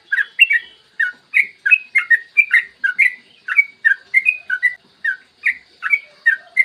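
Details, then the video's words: Clear-voiced yellow-vented bulbul with a long rolling morning song, meant to coax other bulbuls into singing quickly; rich liquid whistled phrases tumble out in quick succession, each a short warbled burst, continuing steadily without pause. "Masteran trucukan gacor ropel panjang cocok buat pancingan trucukan agar cepat bunyi dan ropel"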